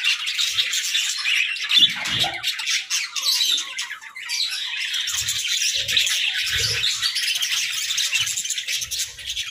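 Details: Several pet budgerigars playing together in their cozy hut, giving a dense, continuous warbling chatter of high chirps, squeaks and scratchy notes, with a few soft low knocks and thumps from movement underneath.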